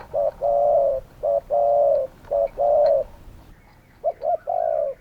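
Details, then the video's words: Loud, close spotted dove cooing: short notes alternate with long, rich, level coos in a quick run, then a pause and another phrase of two quick notes and a drawn coo. "Spotted doves calling!"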